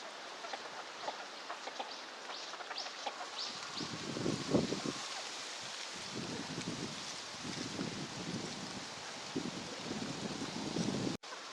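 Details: A wintering northern shoveler at a park pond in Chiba, Japan, in February 2026 gives low, hollow clucking notes in quick bursts of several per second, with breaks between bursts, over a steady hiss of background rustle.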